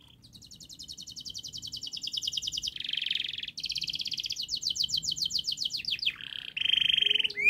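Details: Canary in long, fast, dense song, kept as a model to train young canaries to sing quickly: rapid buzzy trills of repeated high notes, shifting between rattling phrases and a steady high tone, ending in a rising whistle.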